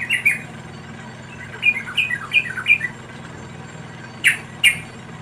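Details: Wild yellow-vented bulbul chicks being fed by a parent: a few short squeaky chirps near the start and middle, then two sharp high notes near the end, over a low steady hum.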